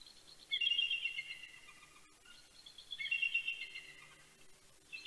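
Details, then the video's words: Mated pair of bald eagles at Big Bear, California, exchanging morning greetings before sunrise on 26 October 2019: two bouts of high, thin chattering chortles, rapid squeaky notes tumbling downward, with a steady low hum behind. "Morning Chortles & Greetings"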